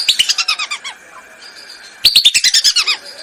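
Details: Lure recording of Lesser whistling duck for hunting: two quick series of sharp, evenly spaced whistled pips, each series about a second long, with a softer pause between them.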